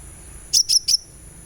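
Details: Sunbird in a therapy recording to encourage singing: three brief, very high, sharp chirps in rapid succession, with a constant high-pitched electronic tone behind.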